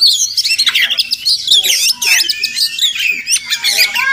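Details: Village Oriental magpie-robin, known locally as Murai Kampung, heard around a home in the morning: fast, squeaky chatter mixed with clear whistled notes, crowded and continuous.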